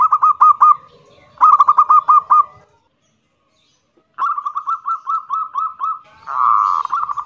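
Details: Local zebra dove singing loud kerot nguwor song, meant to lure other doves to join in: two bursts of rapid bubbling coos, a pause, then a longer run of evenly spaced notes with a purring trill.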